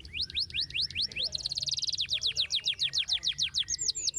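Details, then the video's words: Canary in full song: scattered rising chirps give way to a dense high trill, then a long run of evenly repeated downward-sweeping notes, roughly six per second; quiet low hum underneath. "kenari ngetem langsung nyautt dan kembali gacor lagi dengar kenari ini"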